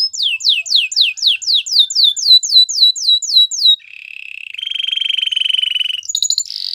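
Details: Belgian singing canary singing to seduce other canaries: a run of about fourteen downslurred whistles at roughly three per second, then a low buzzy roll, a steady even trill, and a few sharp high notes.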